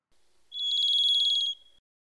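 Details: A Varied Thrush, a bird of Pacific Northwest to Alaska forests whose territorial song is one odd note, sings one long, buzzy, ethereal whistle held on a single high pitch for about a second, with a faint trailing tone after.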